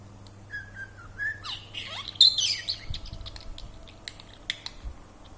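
A pet budgerigar chatters in quick, scratchy mimicked speech mixed with thin whistles and chirps.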